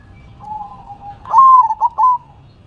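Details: Zebra dove in manggung song, shaking its head: quiet sustained cooing leads into a loud rising coo that breaks into three or four quick stuttered notes.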